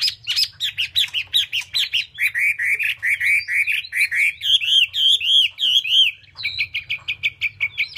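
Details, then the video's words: Caged Chinese hwamei in steady song: quick runs of rich, looping whistled notes, each slurred up and down, delivered nearly twice a second with brief pauses between series, plus sharp clicks at the start. "họa mi cb200"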